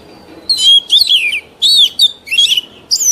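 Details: Mature wild Oriental magpie-robin singing; the recording is used to coach young birds. Short phrases of loud, bright, down-slurred whistles mixed with scratchy twitters repeat about every half second, with brief gaps between them.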